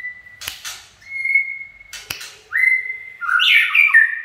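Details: Chạy cầu singing from a white-rumped shama: flat sustained whistles broken by sharp clicking bursts, then a rising whistle leading into a loud, complex descending warble.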